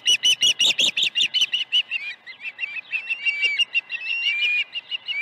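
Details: Osprey calling at the nest at Dunrovin Ranch on the morning of 21 August 2019, a day with two fish deliveries. Loud, rapid, whistled chirps near one pitch open the clip, then a softer, uneven run of similar chirps with a few upslurred notes.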